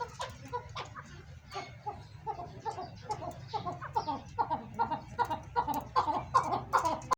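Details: Caged chukar partridge breeding pair, big size, giving a rhythmic run of clucking notes, about two to three per second, growing louder and more regular toward the end, over a steady low hum.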